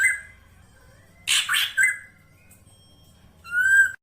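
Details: Sparse black drongo lure phrase: a fading whistle, a loud harsh double burst, a faint thin tone, then a clear wavering whistle at the end.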